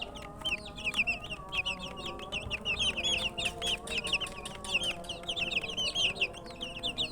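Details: A brood of colour chicks, thirsty for water, give loud, insistent peeping: bright, arched chirps pouring out almost nonstop from several birds, with a faint hum beneath.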